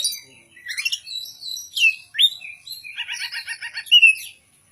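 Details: Contest-ready oriental magpie-robin singing: high whistled notes and slurs, then a rapid, even series of about eight chattering notes, ending with a bright descending whistle.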